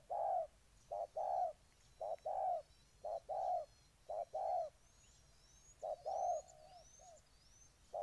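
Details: Soft, low cooing of a spotted dove from Ninh Thuận, Vietnam, short-long note pairs about once a second, alongside faint high whistled chirps from another bird in the second half.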